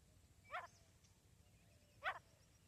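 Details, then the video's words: Calls of a female grey francolin: a pair of abrupt, coarse, buzzy notes spaced roughly one and a half seconds apart, separated by near silence with low background rumble. "female Teetar awaaz"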